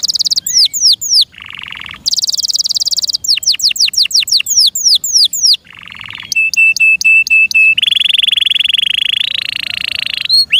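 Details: Captive canary singing loudly: fast sweeping whistled notes alternating with dense buzzy rolls, a run of clipped repeated chips, and a long steady rattling trill near the end.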